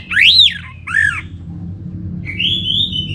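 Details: Orange-headed thrush from North Bali, used as a lure to make birds sing: two loud swooping slurred notes, then a thin wavering whistle, over a low hum.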